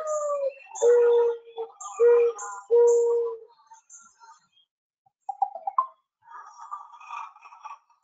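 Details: Mourning Dove song: low, soft, mournful cooing in four hollow notes, the first slurred and rising, the rest steady at one pitch; a person's voice follows.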